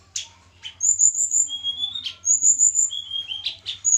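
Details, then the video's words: Javan tledekan gunung being paired, a small melodious singer: sharp clipped chips alternating with long thin level whistles at two pitches, the pattern repeating twice in quick succession. "penjodohan tledekan gunung jawa. tempel satu mingu lagsung jodoh. si kecil cabe rawit bersuara merdu"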